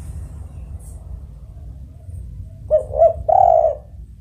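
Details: Tekukur, the spotted dove, calls once: a pair of brief rising hoots, then a longer, steady mellow coo. The background carries a low constant hum.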